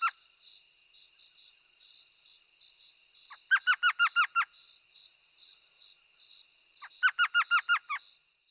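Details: Elf owl, the smallest owl, calling in a laughing manner; two bursts of about six rapid, sharply descending yelping notes, chattering like laughter, with a steady high whine of insects or electronic tone throughout.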